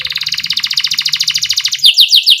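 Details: Canary trilling to encourage young canaries to sing: a long even rapid trill of ringing notes, ending in a few loud sharp swept chips.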